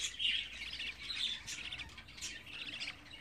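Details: Budgerigar chicks, 24 days old, keeping up a steady raspy, chattering twitter of overlapping high chirps, with brighter bursts roughly once a second over a quiet background.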